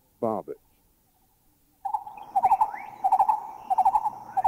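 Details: Green-eared Barbet recorded in a Thai national park (Khao Yai, Doi Intanon, Doi Suthep-Pui or Chae Son): low, hollow rolling notes in quick bursts about every second over a steady hum, with a rising whistle from another bird and a brief spoken announcement.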